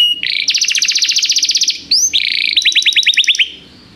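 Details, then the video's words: Canary performing tutor song meant to train a young canary: a rapid even trill of high notes, a brief rising slur, then a second quick rolling trill that fades out. "canário cantando - professor para o treinamento do seu filho canário"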